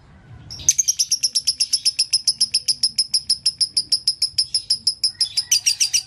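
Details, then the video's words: Dobelan song of a lovebird, described as konslet: after a faint low murmur, crisp high chirps begin and repeat quickly, about five a second, evenly spaced to the end. "Suara dobelan lovebird"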